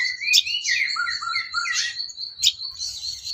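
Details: Sooty-headed bulbul song used as training material for songbirds: a varied run of liquid whistled and slurred notes, rising and falling, with sharper high accents near the start and middle.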